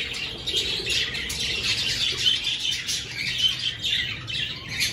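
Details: Aviary budgerigars, breeding season just beginning and clay nesting pots installed. Steady high twittering and chirruping from many birds blends into an unbroken chattering wash.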